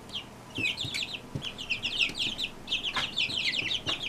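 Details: Brahma chicks, a whole brood hatched from one hen, peeping together: dense overlapping high chirps, many short downward-sliding peeps, nearly continuous, with a few soft knocks and scuffs beneath.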